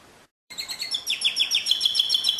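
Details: Canary song: after a brief silence, a rapid series of bright, high chirps and short downward-sweeping notes repeated several times a second, building into a fast trill.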